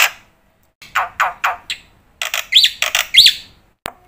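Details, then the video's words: Black-winged myna master song meant to train young mynas: scattered raspy, buzzy notes, then a few rising-falling whistled phrases ending with a sharp click. "suara pancingan burung jalak putih gacor full isian masternya bikin jalak muda cepat bongkar isian"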